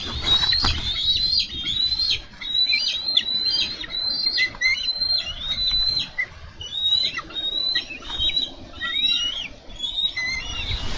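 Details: Bald eagles wrestle for a carp at a Minnesota nest on 4 July 2013. Steady, chattering high whistled notes run through the whole stretch in short bursts, over quiet scuffling.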